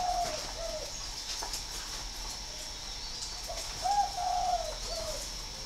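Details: Spotted dove kept at a Ba Vì, Hanoi aviary in northern Vietnam: two low coo notes open, then after a pause a fuller phrase of a short lead-in, a long mellow coo and a closing note.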